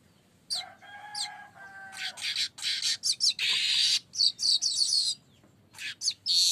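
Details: Streaked weaver (manyar kembang) lure call, delivered in full voice: scattered rising chirps over a faint whistle, building into dense buzzy churring and hissing phrases broken by short gaps, then sharp chirps resume.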